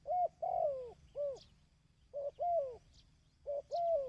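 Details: ['Coo call of a dove, recorded for training decoy birds. Three clear phrases are evenly spaced, each a short note then a sustained arching coo that slides downward. The phrases are loud and close.']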